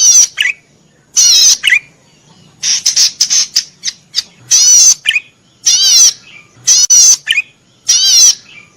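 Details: Energetic cisticola song (cici padi merah) used as a training recording for caged birds: loud rasping high-pitched bursts about once a second, each followed by a quick lower twitter, some phrases broken into rapid stuttering notes.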